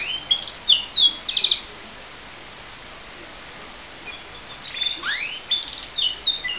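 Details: Pet canary in morning song: two bursts of high rapid chirps and fast trilled notes separated by a few seconds of quiet, second burst with rising sweeps.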